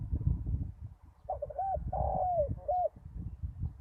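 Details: Decoy spotted dove on a ground lure site after a storm gives a single hoarse cooing phrase: two short looped coos around a long falling note. Steady low rumble of wind or handling noise throughout.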